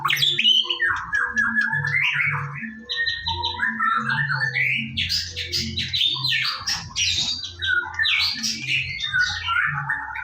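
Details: White-rumped shama in the morning, song meant to coax other birds to sing: rich, varied whistles sliding up and down in quick bursts, with rhythmic low tones in the background.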